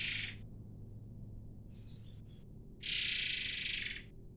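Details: Air mancur bird from Sumatra singing energetically, used as a training lure for white-rumped shamas: two long hissing, rushing bursts with a few thin whistled notes between them, over a quiet low hum.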